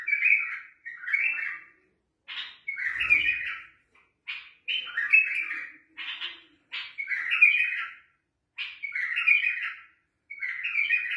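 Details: Bulbul singing short, bubbly, warbled phrases of mid-pitched notes, each about half a second long, repeated in quick pairs with brief pauses between them.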